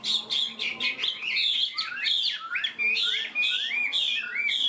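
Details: Caged Chinese hwamei singing fast and steadily in the high 'cao cầu' style: dense, loud, varied whistled phrases with rapid swoops and upslurs, delivered almost without pause.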